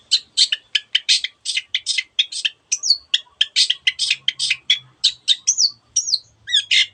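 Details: Cendet (long-tailed shrike) in energetic 'gacor' song rich in imitations of other birds: steady rapid chips and rasping bursts with occasional looping whistled slurs, continuous throughout.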